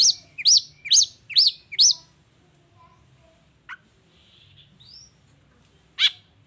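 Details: Long-tailed shrike in full vigorous 'toet toet' song, used as a lure to make lazy shrikes answer: five sharp, bright rising-falling notes in quick series, then quiet with a faint whistle and one more sharp note.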